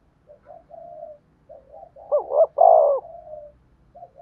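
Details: Cooing of a spotted dove, played to prompt decoy doves: soft short coos lead into a loud quavering double note and a long sustained coo fading gently, then quiet coos resume.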